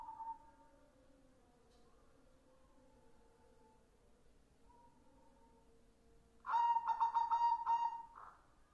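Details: Song of a white zebra dove: after soft drawn-out tones, a loud burst of rapid stuttering coos in quick succession, rich and ringing, ending on a held note, then fading.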